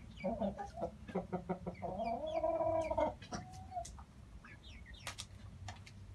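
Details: Dark Brahma breeding hens, ornamental chickens from Istanbul, Turkey, uttering rapid clucks that run into a drawn-out, wavering harmonic call lasting about a second, then a short flat note and scattered sharp clicks over a low hum.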